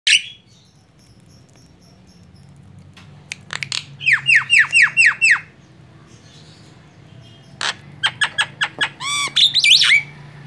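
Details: Javan myna, a white-eyed bird, used as a lure call to attract other birds: after scattered clicks, a run of six harsh down-slurred squawks, then quieter sharp notes and a final cluster of rapid chattering squawks over low background hum.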